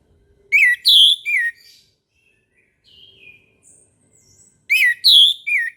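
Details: Orange-headed thrush singing in the morning, repeating a three-note whistled phrase about four seconds apart, with soft thin whistles between.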